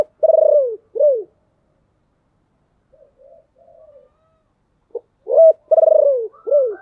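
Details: Deep-voiced spotted dove used as a decoy to lure wild doves: two clear phrases of low coos, a long downward-sliding note followed by a short arched one, separated by soft, quiet cooing.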